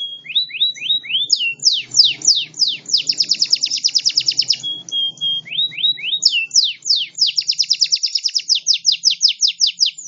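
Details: A local canary sings a long, unbroken song of high, sweeping notes and fast rattling trills, switching phrases every second or two with hardly a pause.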